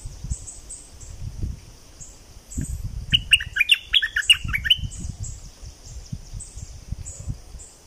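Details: Streak-eared bulbul singing in southern Thailand, a brisk phrase of six or seven bright, chirpy whistled notes delivered within two seconds, set against pulsing high insect buzz and some low rumbling.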